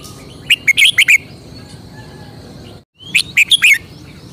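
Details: A Thai cage-kept red-whiskered bulbul sings two lively phrases of five quick, warbling, up-and-down notes, separated by a pause of about two seconds. Quiet chirps from other birds sound in the background.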